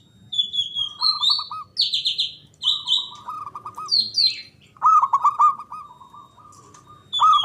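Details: Javanese local zebra dove singing as a lure to stir mute doves into calling. Low rolling coo phrases of fast repeated notes recur, mixed with loud high sliding chirps and trills from other birds.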